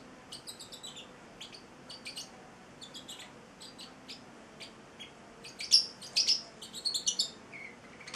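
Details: Pet Celestial parrotlet, a male eight weeks old, twittering: soft high chirps at first, building to louder, shrill squeaky notes near the end, over faint indoor hum.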